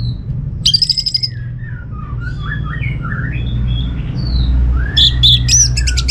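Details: Orange-headed thrush song used to make other birds respond: a buzzy rattling phrase, a loose series of soft descending and rising whistles, then another harsh, rapid burst, over a low rumble.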